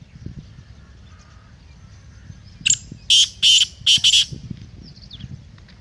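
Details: One harsh, ratcheting phrase of a black francolin, about five buzzy notes in under two seconds, set amid quiet low background noise.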